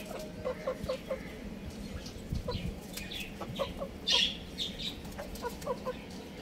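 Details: Young roosters and chicks playing at home; short clucking notes repeat in quick runs, with a few sharp high chirps and a louder squawk near the middle.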